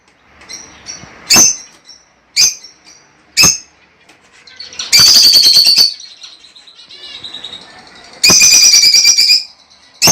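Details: Lovebirds, vocalising to encourage breeding: spaced sharp chirps, then two long bursts of rapid, grating, high chattering with a thin whistle between.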